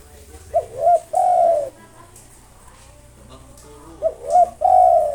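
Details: Local spotted dove singing tirelessly to provoke opponents, repeating its phrase twice about three seconds apart: a quick wavering double note followed by a long, level, slightly falling coo.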